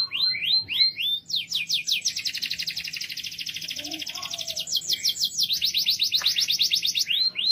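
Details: Loud canary song made of fast, rolling trills, opening with a few rising slurred notes, then long runs of rapidly repeated high syllables changing speed and pitch, ending in spaced upslurred notes; faint low background hum.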